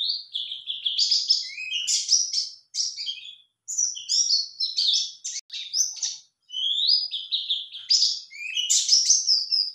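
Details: Answering a lure, a male white-eye pours out a fast, high-pitched twitter of rising slurs and sharp chirps, broken into bursts by several short pauses.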